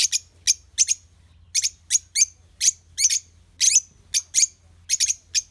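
A lovebird gives rapid, shrill, high-pitched chirps and squeaks in quick bursts, several each second, over a faint low hum.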